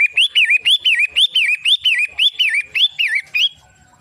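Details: Long-tailed shrike, locally pentet matahari, pours out a quick series of piercing up-and-down whistles for three and a half seconds before falling silent.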